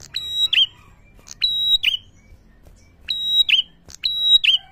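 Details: Prinia calling to rile up other prinias: three loud phrases, each a brief high chip, a steady ringing whistle and a downward buzzy slur, spaced roughly a second and a half apart in a quiet setting.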